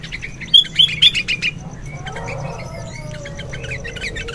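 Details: Sooty-headed bulbul singing energetically in the morning, a lure and tutoring song: a rapid series of sharp whistled chirps lasting about a second, followed by faint scattered notes and soft background noise.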